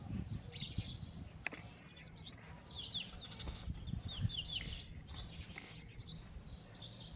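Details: Sparrows at their nest, a male among two females, chirping loudly: rapid, overlapping bright chirps and short twittering notes repeated almost without pause, over a steady low rumbling background noise.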